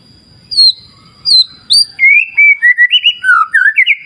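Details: White-rumped shama, locally murai batu, from a clear-river wild-nature therapy recording: a few high descending whistles, then a flowing series of clear rising and falling whistled phrases over a faint low rumble.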